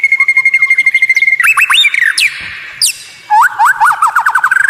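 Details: Captive white-rumped shama (murai batu) singing a tutor recording of strange, rare sounds meant to provoke rival birds: a long steady whistle, then slurred rising and falling notes, a pause, and a quick run of rising whistled notes.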